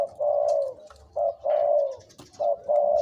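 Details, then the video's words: Spotted dove kept as a decoy bird, two to three years old, giving deep drawn-out coos, each long note slightly falling and alternating with short ones, over a faint background of rustles and distant chirps. "นกต่อ เสียงใหญ่(เจ็กหัวโต)และเสียงกลางกับเสียงเล็ก จ้วดๆ"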